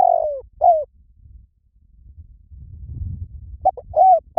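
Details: Spotted dove calling: short mellow coos, the first sliding downward, a pause, then another pair of coos near the end, with low rumbling background noise in between.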